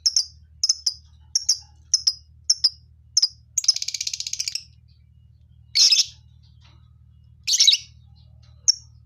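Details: High, clipped chirps repeated in pairs from a lovebird colony, then a buzzy rattle and two loud harsh squawks.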